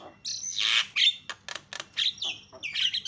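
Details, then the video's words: A myna (jalak kebo) used as a loud lure to provoke other mynas into calling gives a rapid jumble of harsh squawks, dry clicks and short high whistles, bursting out every half second or so. "SUARANYA MENGGODA JALAK CEPAT TERIAK"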